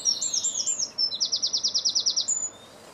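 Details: European greenfinch heard while feeding, recorded 2017: a few rising twitters lead into a fast rhythmic rattle of roughly ten pulses, ending on a thin high whistle.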